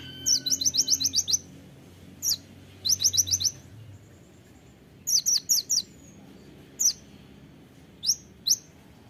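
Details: Kolibri ninja (konin) singing vigorously in sharp bursts: quick runs of high, sharp, piercing chirps, five to six in a rapid series, then pauses and scattered single notes, with faint low background hum.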